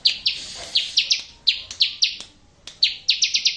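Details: Bar-winged prinia song used as a training recording to get birds that have stopped singing to answer: bursts of sharp, high, down-slurred notes, two to five in quick succession, separated by short pauses.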